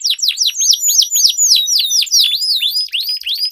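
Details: Two canaries duelling with sweet song, used as a lure for silent or competition canaries. Quick repeated downslurred whistles and rising upswept notes follow one another at a brisk pace.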